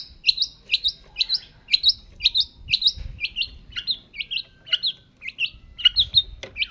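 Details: Long-tailed shrike singing vigorously: a steady run of sharp two-part notes, each a high chip slurring downward, repeated about every half second, with a few harsher notes near the end; slight low background hum.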